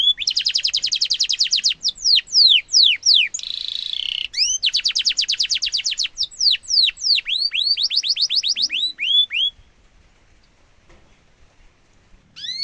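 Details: Canary song for training young and adult canaries: long fast rolls of high notes broken by swooping whistles and a brief harsh buzz, then several seconds of near silence before song resumes.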